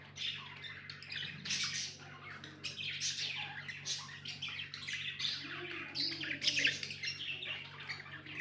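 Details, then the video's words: Continuous noisy budgie chatter, dense scratchy squawks and warbles overlapping with little break, over a steady low hum. "Budgies amazing love & chirping sounds"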